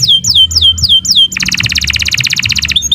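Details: Canary of the Kenari Nusantara type, song used as a training model for other birds: repeated high descending whistled sweeps, then a fast dry buzzy trill lasting over a second, ending with short chirps.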